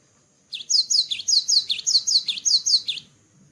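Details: After a brief quiet lead-in, a cinereous tit fresh from its moult repeats a high, ringing two-note phrase about ten times in quick, even rhythm, then stops.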